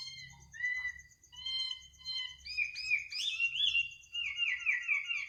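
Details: A bird at midnight gives several clear whistled notes, evenly spaced, then breaks into a rapid rich warble of sliding notes, with a constant faint high pulsing hum behind.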